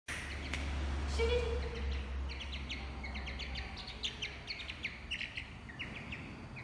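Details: Pet chicks being called by their owner; several short, high peeps repeat rapidly and irregularly against a steady low hum.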